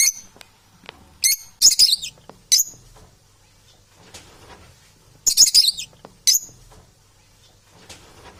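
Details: Domestic parrots described as unbalanced, indoors: clusters of harsh, buzzy screeches, two bursts of several quick squawks separated by a quiet stretch with light tapping.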